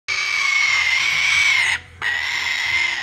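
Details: A young male sulphur-crested cockatoo chick, still hand-fed two to three times a day, gives two long, harsh, rasping begging screeches, the first almost two seconds, split by a brief pause.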